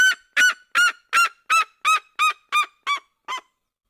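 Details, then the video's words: Red-legged seriema from the cerrado yelping in a steady series of ten loud, harmonic, slightly descending notes, evenly spaced and fading toward the end, part of its duet song. "CHAMADO E CANTO EM DUETO DA SERIEMA - SERIEMA DO CERRADO"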